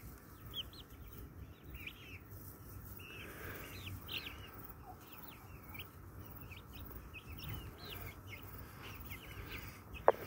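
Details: Brahma breed hens and roosters kept as pet birds, giving many quick, high, curved chirps in a busy overlapping chorus over a faint low hum, ending in a sharp click.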